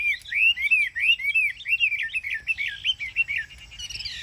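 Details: Ngũ trường song of a caged Chinese hwamei in Vietnam: evenly repeated arched whistles, then a quick chattering run of angular notes, fading near the end.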